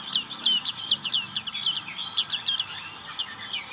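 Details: Black-capped white-eye delivering ngriwik song as a fast, continuous chatter of high, downslurred twittering notes, about four per second, bright and rapid throughout.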